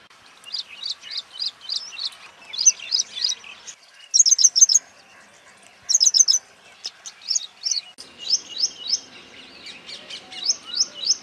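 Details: Ashy prinia (Prinia socialis) in Rajasthan giving quick, high, thin notes repeated several times a second, broken by two brief buzzy bursts; other small birds chip faintly behind.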